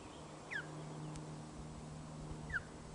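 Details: At a Loch of the Lowes osprey nest in Scotland, 1 June 2013 around 13.26, as the chick gets its first feed: two clear downward-sliding whistled chirps about two seconds apart above a constant low hum.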